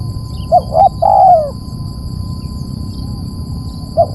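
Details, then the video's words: Spotted dove call used to lure birds: one phrase of two short hooked notes leading into a longer, sliding, descending coo. Then a quiet pause with a steady high tone, and another phrase begins at the end. "Pikat suara bagus memancing"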